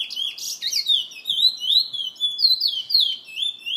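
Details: A caged bullfinch belonging to a bird lovers association keeper in San Fernando sings a lively, unbroken series of swooping whistled notes, a few sharper chips near the start, otherwise clean and quiet.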